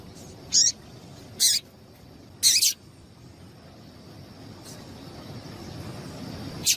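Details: Female double-collared seedeater call, used to stimulate males to sing: three sharp, very high, hissy chip notes about one second apart, followed by fainter similar notes, over a low background hiss.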